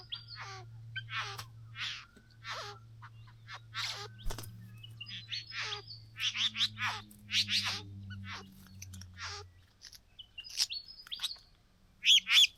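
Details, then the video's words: A young bowerbird at the bower, excited after two young birds discover blue objects and dance, gives a rapid, irregular run of harsh chattering and buzzy calls with brief whistled notes, over a low steady hum. "Bird and the bower"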